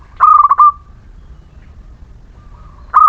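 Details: Local Muria zebra dove song used to coax reluctant birds into singing. One fast, bubbling coo phrase fades into a long trailing note. A second phrase begins after a pause, over a faint low rumble.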